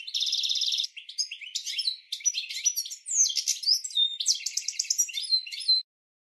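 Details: European goldfinch training song for caged birds: it opens with a harsh buzzy tremolo, then flows into rapid liquid twitters, sliding whistles and quick trilled rattles before stopping cleanly.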